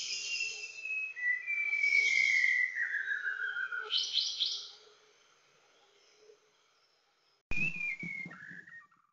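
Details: An adult male white-browed shama, a shy Luzon endemic, in Montalban, Rizal, in August 2021, singing long, clear whistles that slide downward, with short buzzy bursts, then a pause and one more falling whistle after an abrupt cut.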